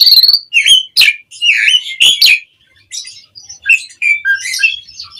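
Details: Asian pied starling song played as a lure to get birds calling: sharp clicks alternating with short whistled and squawky notes, a brief pause, then softer varied chirps and a falling whistle.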